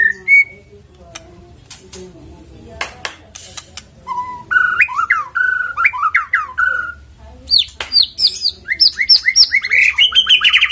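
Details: White-rumped shama song as a lure to start a bird singing: a few isolated whistles and clicks, then a run of rich warbled, rising and falling phrases, ending in quick high chattering notes.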